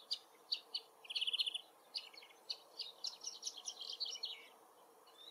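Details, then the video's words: A Woodchat Shrike sings from very far away in forest habitat: a varied, scratchy medley of high chirps, quick trills and short whistled notes, delivered in bursts at a brisk, jerky pace. "The Woodchat Shrike Sings"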